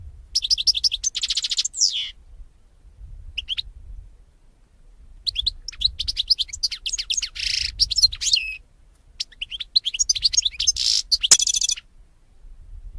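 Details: European goldfinch song for training young goldfinches to sing: long bouts of fast twittering, buzzy rattles and tinkling notes, broken by short pauses, one sharp click near the end.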